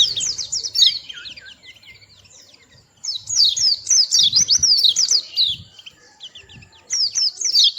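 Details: Small white-eye with a melodious voice, shown behaving playfully: bursts of high, rapid twittering notes sweeping up and down, in three phrases separated by a quiet pause, with faint low rumbling underneath.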